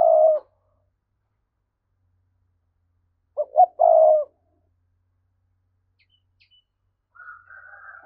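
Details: Spotted dove 'thúc' cooing, a lure voice for provoking wild doves; end of one coo, then two short notes and a long low coo, followed after silence by a thin higher whistled sound.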